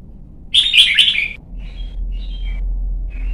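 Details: Caged young white-cheeked red-whiskered bulbul in Vietnam, trained for singing competitions. It gives one loud bubbling warbled burst, then a few faint thin whistled notes over low rumble.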